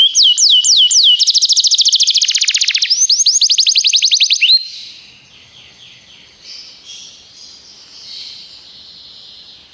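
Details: Belgian canary training song: a few looping slurs then a loud rapid rolling trill for about four seconds, followed by softer, distant-sounding trills fading out.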